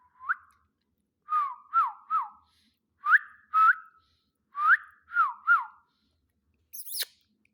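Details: Pet ring-necked parakeet talking in clear whistled syllables, grouped in threes: each note quickly rises or bends, with short pauses between groups, ending with one sharp squeaky sound.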